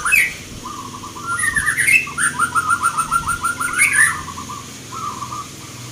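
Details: Local zebra doves at a singing competition in Yogyakarta, Indonesia, on 19 November 2023: a rapid series of low rolling cooing pulses amid several overlapping birds and crowd background noise.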